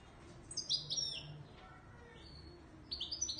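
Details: European goldfinch in the Moroccan Ouidani Marrakchi style, with a quick phrase of sweet, high twittering notes, a lull with faint chips, then another short run of bright, repeated twitters.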